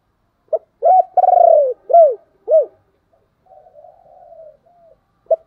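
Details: Spotted dove coo, meant to draw wild doves into answering: a short opening note, then a run of deep, hollow, arched coos, one long and trembling, fading into soft, lower murmurs.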